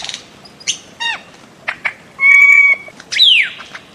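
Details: Bird-of-paradise giving scattered sharp chirps, a long steady high whistle, and a loud piercing note sliding steeply downward.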